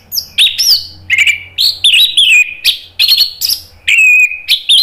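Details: Orange-headed thrush singing freely and loudly, an Indonesian cage bird: rapid varied whistled phrases, bright slurred notes and chirps alternating with sustained warbling whistles that slide downward, almost continuous.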